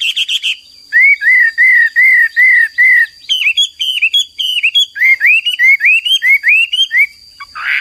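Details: Hwamei belting out vigorous song: a series of loud, clear, downslurred whistles repeated about every third of a second, then higher looping whistles, with a constant thin electronic whine behind.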